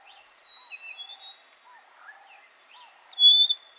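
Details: A Rosy-patched bushshrike (Rhodophoneus cruentus) calls and duets in Buffalo Springs National Park, Samburu, Kenya, giving a loud, ringing whistled note near the end over soft scattered chirps and whistles from other birds.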